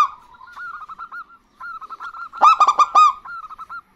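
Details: Local zebra doves, a female and a male answering each other: a series of short hooked notes at a steady pitch, broken by a loud burst of rapid, rattling staccato notes, then the hooked notes return.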